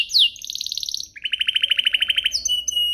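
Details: Canary song used to stimulate other canaries into singing: a descending sweep, then fast buzzy trills around mid-high pitch, a lower rapid rattle-like trill, and clipped high notes at the end.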